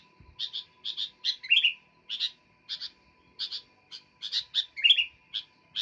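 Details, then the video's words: Sooty-headed bulbul in lively song, giving clusters of crisp doubled chirps separated by brief pauses. Two lower slurred notes break the pattern, over a constant background tone. "Burung kutilang gacor"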